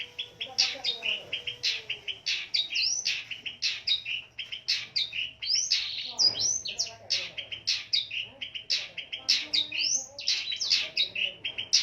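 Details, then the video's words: Fighter-class long-tailed shrike giving an unbroken, richly varied song, used to lure stressed shrikes into singing. Shrill chatter and rising and falling whistles run continuously, with faint low background sounds. "Burung pendet figther gacor dor full isian ediaaaaan...!!! Pancingan cendet stres macet bunyi"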